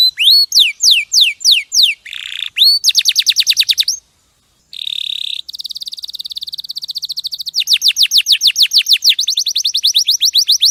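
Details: Clear song of a champion canary, kept as tutor material for other songbirds: slurred whistles, a buzzy tone, then long rattling trills and fast repeated notes, broken by a silent pause near four seconds.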